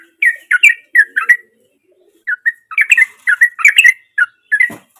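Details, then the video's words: Gacor sooty-headed bulbul from nature, serving as a lure for silent birds: clusters of bubbly, rising and falling whistled notes, a one-second lull, then quick chattering phrases ending in a brief low thump. "Trucuk Dengan Suara Asli Dari Alam || Trucuk Gacor Cocok Buat Pancingan Trucuk Bisu"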